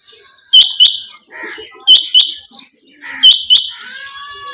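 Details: A quail, possibly female, gives sharp, high double notes about every one and a half seconds, with soft lower chatter between them.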